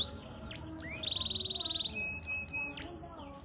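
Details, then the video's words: Canary, 'gacor' and 'cengkok mewah', holding a long high whistle, adding a rising slur and a smooth buzzy trill, then short scattered chips and thin whistles. "Suara Burung Kenari Gacor cengkok mewah"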